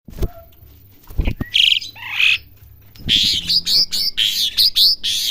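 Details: Young Asian pied starling learning to sing: a scattered mix of brief clicks at first, then from midway a busy run of short chirpy and whistled notes with squeaky upslurs, fairly loud and uneven.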